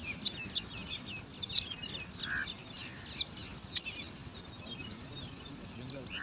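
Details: Bar-winged prinia nestlings, five chicks in a nest in alang-alang grass, jostling for food with rapid high scratchy chirps and thin whistles, several a second, plus a soft lower hum-like note partway through.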